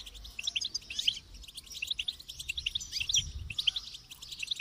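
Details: Goldfinch twittering in a quick, bubbling song of high, clear notes and short trills, with a faint low murmur in the background.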